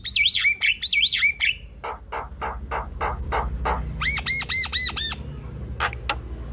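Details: Chattering Javan myna song meant to stir silent mynas into song; looping whistled phrases, a string of dry clicks, then six quick rising-falling whistled notes in a row.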